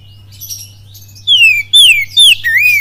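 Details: Oriental magpie-robin pancingan song, kapas tembak style, Cililin: faint warbling at first, then three loud whistles each sliding down in pitch and a final rising-then-falling slur, over a steady low hum.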